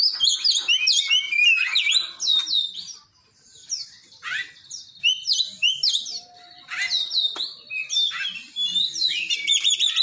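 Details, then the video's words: Mimicking the cinereous tit, an Oriental magpie-robin delivers varied bursts of sharp, high chirps and downslurred whistles, phrases separated by brief silences, ending in a quick repeated stuttering series. "kacer isian glatik batu"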